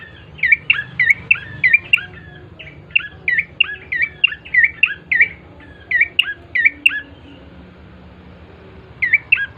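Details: Bar-winged prinia in energetic song, meant to lure birds into calling: a rapid string of sharp, high chirps in close pairs, briefly pausing, then resuming with a final short pair.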